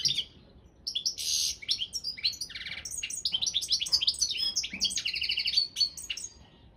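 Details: European goldfinch of the Balkan subspecies singing in a world championship contest: a long, nearly unbroken run of twittering, buzzy rattles, liquid chirps and quick trills.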